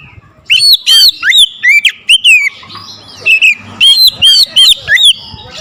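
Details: Oriental magpie-robin stirred up against a rival, pouring out its varied repertoire in loud, hard song: repeated looping whistles and sharp upslurred notes, about two per second, with a short softer pause midway.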